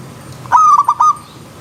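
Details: Single song phrase of a zebra dove (perkutut) in a wild riverside setting: a sharp opening note running straight into three quick, evenly spaced rolling coo pulses, ending abruptly against low steady hiss.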